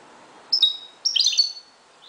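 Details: A Moroccan goldfinch's dawn song: a clear high whistled note, then after a short gap a busy cluster of sharp, tinkling chirps.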